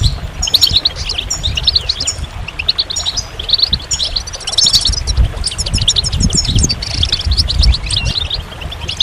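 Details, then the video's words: Continuous goldfinch song of tinkling, high chirps and short trilled phrases, busy and uneven in rhythm, over a low rumbling background. "Magical Goldfinch Songs"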